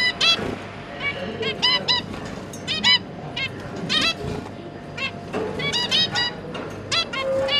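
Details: Pet zebra finches, a pair with three newly hatched juveniles, parents busy feeding the young: dense overlapping nasal, harmonic honking beeps from several birds, some in quick pairs, over a low steady hum.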